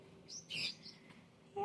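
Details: A pet cockatoo gives a few short, high, chirpy notes in quick succession, a squeaky attempt at "hi" as if saying hi to himself, with faint human speech starting at the end.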